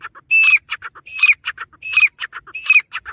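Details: Dakhni teetar, the grey francolin, repeating a shrill whistled note that rises and dips about every 0.7 seconds. Between the four loud calls come quick clucking and clicking notes.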